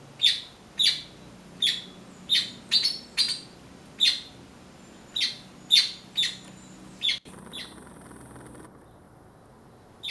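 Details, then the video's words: Blackbird visiting in search of persimmons, eating passion fruit instead; a series of about a dozen sharp, high chip notes, spaced roughly half a second to a second apart, followed by quiet with faint low background hum. "Melro Cantando"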